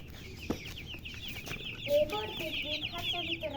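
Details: Chicks chirping in a group, countless quick high peeps layered densely, joined midway by a few lower, tonal calls that rise above the crowd for a second or two.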